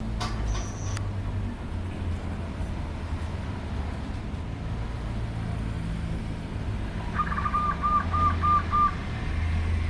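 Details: A zebra dove (merbok) gives a short run of about six soft, staccato cooing notes near the end, over a steady low rumble of traffic.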